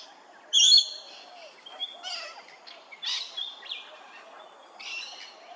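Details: Grey-crowned babbler at Hervey Bay, Queensland, Australia: a loud, harsh, ringing note opens the sequence, followed by scattered shorter scratchy and whistled notes at irregular intervals, with faint low background hiss.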